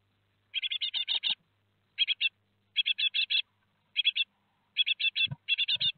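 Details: Four great tit nestlings in a nest box at Théding, France, on 17 July 2020, on the day they fledge. Bursts of rapid, high, squeaky chirps come in clusters of four to six, with short silences between them.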